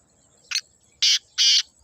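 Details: Natural black francolin call fragment: one short rough note followed by two longer, loud, harsh grating notes.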